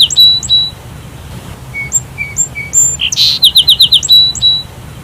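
Sparrow chirping: short, bright tweets at varied pitches, then a quick run of five or six sharp chirps. A faint low hum sits underneath.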